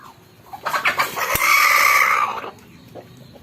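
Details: Rooster giving one loud, drawn-out crow lasting about a second and a half, held on a steady strained pitch. Rougher, broken noisy calls lead into it, and it fades into quiet background.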